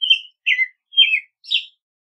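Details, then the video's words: American robin song: three warbled, down-slurred whistled phrases followed by a higher, thinner, squeakier note. "American Robin Song! Call! Sound! Singing! - Mirlo Primavera Canto- Turdus Migratorius"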